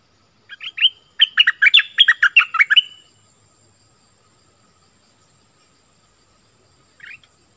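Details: Southern-style song of an Orange-headed thrush, for luring wild birds and training young birds: a couple of lead-in notes, then a fast string of about eight ringing whistles, then a faint single note later.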